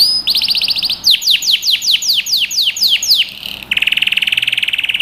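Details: Yellow canary singing, recorded as training for young birds: a fast rolling trill, then a series of sweeping downward notes, each repeated rapidly, closing with a steady buzzy rattling tour.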